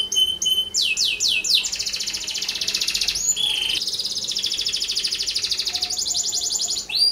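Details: Canary singing a 'gacor' lure song for other canaries: short clear whistles and quick falling swoops open into a long, steady, rolling high trill that runs almost to the end.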